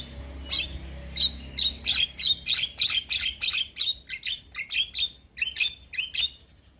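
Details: A young Javan myna singing as a model for other mynas repeats a harsh chip with a ringing whistled tone roughly every half second, in a steady rhythmic string.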